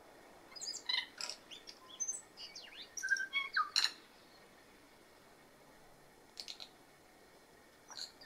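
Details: A tui on Stewart Island, New Zealand, gives a varied run of clicks, chimes and sharp whistled notes over four seconds, then brief clicks after a pause, with a steady hiss behind.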